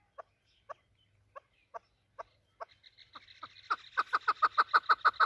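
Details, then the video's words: Hunter's chukar partridge of Afghan desi stock: a few spaced single chuck notes open slowly, then quicken and build into a loud, rapid rolling chatter of harsh clucks. "chakor voice | chakor sound | desi afghani chakor voice"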